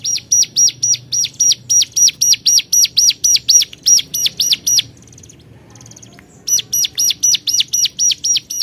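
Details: Hill prinia calling to rivals: loud arched high notes repeated about four per second in two long runs, split by a short quiet gap with faint softer chirps.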